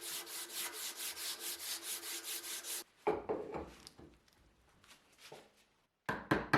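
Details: Steady rhythmic rubbing or filing on wood for about three seconds, then scattered scraping and knocking of tools with short quiet gaps; no animal is heard.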